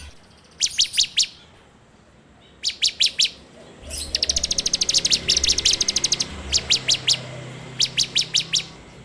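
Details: Bar-winged prinia (ciblek) performing a training-lure song in 'ngebren' style, Android recording: clusters of four or five piercing high notes, then a long rattling burst of rapid ticks, followed by more short high clusters.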